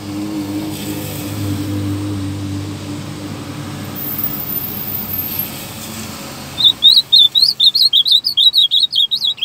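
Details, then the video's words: Ultramarine grosbeak, singing firmly. Several seconds of low vehicle rumble and background hum come first, then a rapid burst of clear, high, up-and-down warbled notes, about four per second, runs to the end. "AZULAO CANTANDO FIRME"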